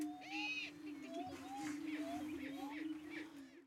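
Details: Several male Greater Prairie-Chickens on a lek near Wray, Colorado, before sunrise, displaying for females: a steady, low, hollow booming moan from inflated air sacs, with higher whooping cackles and clucks breaking in.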